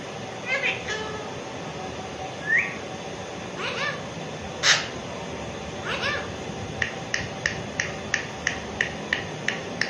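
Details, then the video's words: Talking pet Alexandrine parakeet copying meows: several rising, bent meow-like calls, one strong burst near the middle, then a run of quick dry clicks repeated about every third of a second, with low room hum behind. "Alexandrine Parrot Chatting"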